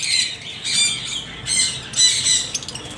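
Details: Parrots uttering strident, rasping squawks, three or four drawn-out harsh cries with brief rough notes between them.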